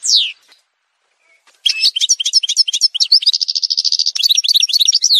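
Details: Algerian goldfinch song in an edited montage: a single falling whistle, a short pause, then a fast, dense run of high twittering notes, buzzy trills and tinkling phrases, with no other sounds.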